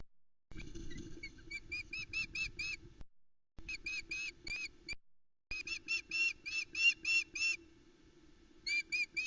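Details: Female osprey at the Loch Arkaig nest on 17 July 2020, calling in the early morning as the male delivers a headless trout to the chicks; rapid series of shrill whistled cheeps, several per second, in bursts separated by short gaps, over a low steady hum.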